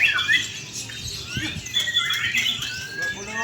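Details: White-rumped shama kept in Indonesia, pouring out fast fluid whistles and rising and falling sweeps, tightly packed phrases with brief rattles, a low murmur of voices beneath.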